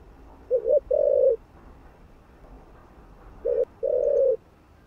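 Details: Cooing spotted dove meant to stir other doves: two phrases of low mellow coos, a short two-part note then a long steady coo, about three seconds apart, background quiet.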